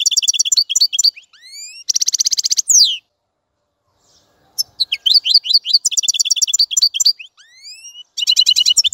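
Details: European goldfinch song in bursts: quick tinkling trills and a buzzy rattle, then about two seconds of silence before the twittering resumes with rising slurred whistles and rapid chirps.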